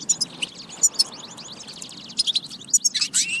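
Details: Goldfinch batba song, a recording for training goldfinches to sing; quick liquid twittering with repeated sharp tweets and a harsher buzzy burst at the end.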